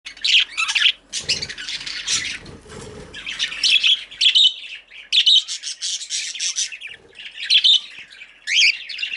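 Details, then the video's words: Female budgerigar chirping: a busy run of scratchy, high chattering bursts broken by brief pauses, with a couple of softer low noises near the start. "Female Budgie/Parakeet Chirping"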